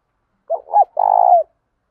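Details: Single spotted dove coo phrase, played to set captive doves cooing. Two short hooting notes lead into a longer, rapidly pulsed coo that falls slightly at its close.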